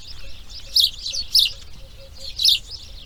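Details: Grey heron chicks on breeding day two: three loud, rough, hissing-edged calls spaced unevenly over a few seconds, separated by softer chatter.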